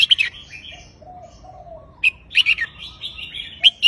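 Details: Red-whiskered bulbul delivering counted song phrases in a pleasant looping style: a sharp whistled burst, a quiet lower warble, then several emphatic chirpy notes, with faint chatter from other birds behind.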